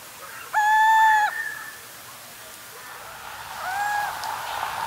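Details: In central Russia at night, a little owl gives a loud, drawn-out, mewing 'kiew' that rises slightly then drops. A fainter, shorter repeat follows about three seconds later.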